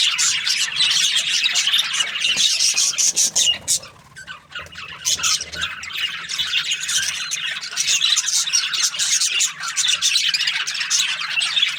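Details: A morning flock of budgies keeps up shrill overlapping chatter and squawks. The noise thins out for a moment about a third of the way through before the full chorus returns.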